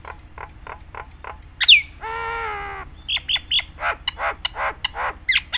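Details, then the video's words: Nias hill myna singing a rich varied song meant for training other mynas: quick dry clicks, a sharp falling whistle, a drawn-out nasal harmonic note, then a run of harsh buzzy squawks over a faint low hum. "suara burung jalak Nias gacor full isian paling handal untuk pancingan masteran semua jenis jalak"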